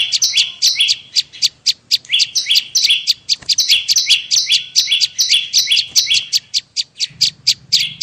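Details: Bar-winged prinia lure call for attracting prinias: rapid paired chirps, each stepping down from a high note to a lower one, repeated steadily with sharp ticking clicks between phrases and a faint low hum near the end.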